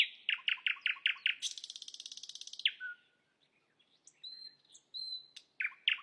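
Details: Song of an Asian brown flycatcher, used for masteran tutoring of songbirds: a rapid series of bright downslurred chirps, then a long dry rattling buzz, a low whistle, thin sustained high whistles and a last pair of chirps.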